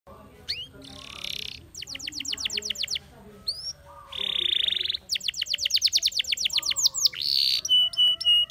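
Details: A canary, identified as a Belgian canary but presented as a Spanish Timbrado, sings fast, metallic rolled trills in quick bursts, switching between rapid clicking runs, steady buzzy tones and sharp upward whistles.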